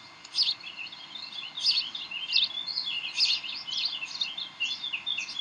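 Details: Bald eagles on the Decorah nest, 18 May 2012 at about 7:45 pm, in a tug of war and play session; dense, shrill twittering chirps tumbling one after another, nearly unbroken, over light background noise.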